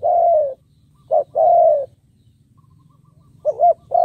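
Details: Spotted dove used as a decoy bird, calling to lure wild ones: a long falling coo, then a short hoot and a second drawn-out coo, a pause, and a quavering coo starting.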